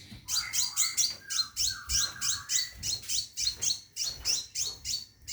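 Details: Scarlet minivet in a cage, calling a female for mating, gives rapid high sweet notes that step downward, packed closely in an unbroken series over a soft low background hum.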